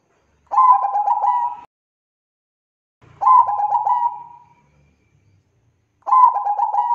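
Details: Bangkok zebra dove lure song for getting doves to sing, three rapid fluttering coo phrases roughly every three seconds, each ending in a sustained tone, with a brief low rumble under the second.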